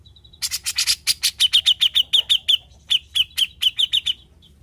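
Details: Grey-cheeked bulbul (cucak jenggot), formerly mute and now singing freely: harsh, broadband rasping notes lead into two long rattling series of crisp, high chip notes separated by a brief pause.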